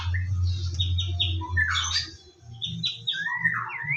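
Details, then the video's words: Morning song of a white-rumped shama from a lure recording: short repeated whistled notes, a harsh squawky burst in the middle, then sweeping rising and falling whistles, over a steady low rumble. "PANCINGAN BURUNG MURAI BATU DIPAGI HARI AGAR GACOR"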